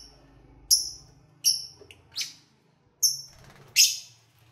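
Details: Lovebirds, recorded in February while eating and playing, repeat shrill descending whistled chirps roughly every three-quarters of a second, ending in a rougher squawk, with a soft hum underneath.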